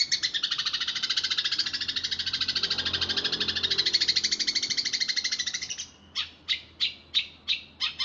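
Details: House sparrows in a fight: a rapid, continuous high chatter of buzzy notes for nearly six seconds, then it breaks into loud single chirps repeated about every half second.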